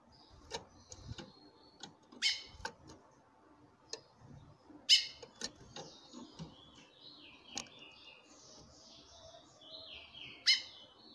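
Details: A female chestnut-bellied seed finch calls often to excite a male, who answers singing. Short explosive calls and clicks recur irregularly, about twenty-three a minute, over a soft, sliding warbled whistling.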